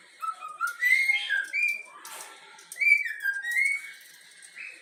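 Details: Yellow-cheek cockatiel youngster, a pet taught the Flamengo anthem, gives two bright whistled phrases of gliding, rising and falling notes. A brief noisy rustle separates them.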